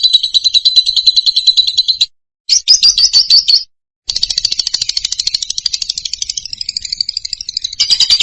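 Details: Rapid, harsh, high chattering of a lovebird, a continuous stream of quick shrill notes with slight rises and falls in pitch, interrupted by two short silent cuts.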